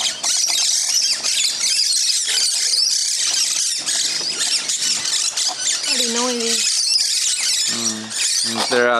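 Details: A feeding flock of musk lorikeets, about twenty birds, makes a racket in a tree on Christmas morning. Constant high-pitched screeching chatter, with a person speaking briefly over it near the end.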